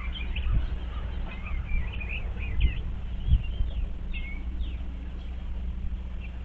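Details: Eastern bluebirds inspecting a birdhouse, 25 February 2023. Scattered short, soft warbling notes come in small bursts over a constant low-pitched hum.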